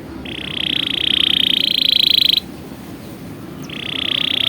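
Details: Canary singing a tutoring song for young birds: a long, even, buzzy roll lasting about two seconds, a brief pause, then the same rolling buzz starts again.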